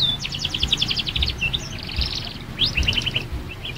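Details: Canary youngster learning to sing, giving quick buzzy trills of repeated notes and short rising sweeps, over a low background hum.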